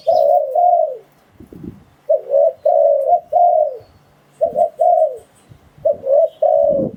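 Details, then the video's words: Spotted dove cooing as a lure for wild doves. Deep, rounded coo phrases, a short note leading into a longer falling one, are repeated in groups roughly every one to two seconds, with light knocking sounds between. "Tiếng Chim Cu Gáy Dùng Để Đi Bẫy Gọi Bổi"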